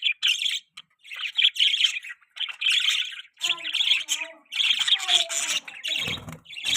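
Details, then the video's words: Budgerigar mating chatter from a pet bird, a continuous high scratchy warble in rapid pulsed phrases, with a few lower squeaky notes mixed in and a brief soft thump near the end. "budgie chirping sound|budgies mating sounds|budgie beautiful voice"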